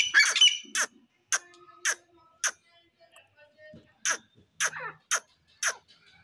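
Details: Grey francolin pair, called dassi teetar: a rapid burst of shrill squawking, then crisp, sharp, high notes repeated roughly every half second with short gaps, a faint low hum in the background.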